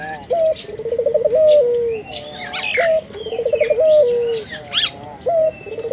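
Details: Turtle dove calling to draw local doves into calling, low mellow phrases: an upward-bending opening note, a rapid warbling trill and a drawn-out ending coo, repeated about every two and a half seconds, with scattered small-bird twitters.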